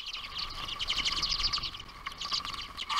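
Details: Common redpolls (Acanthis flammea) at a feeder in boreal Ontario, Canada: several birds give a rapid, dry chatter of buzzy, high twittering notes over a faint steady hum.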